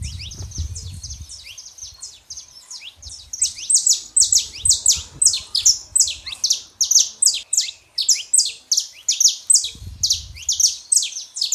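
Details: Saffron finch pair, male and female, singing to warm up a quiet canary: soft high chirps swelling into a long, loud, steady run of sharp downswept notes, with low rumbles at times.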